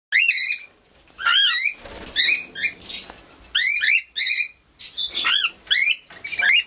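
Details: Young cockatiel in an aviary giving harsh, wavering squawk calls with rising-falling harmonic sweeps, delivered in short bursts roughly every half second to a second, with brief quiet gaps between.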